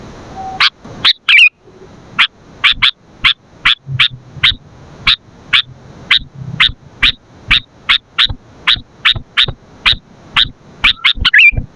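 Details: Sooty-headed bulbul recorded for training and luring birds: a long series of sharp, clipped chip notes, mostly about two to three per second and slightly irregular, with one short warbled note near the end.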